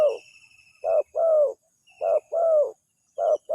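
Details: Spotted dove used as a lure, answered at once; three clear coo pairs, each a short hoot then a longer downward-bending one, spaced about a second apart, light chirping faintly behind.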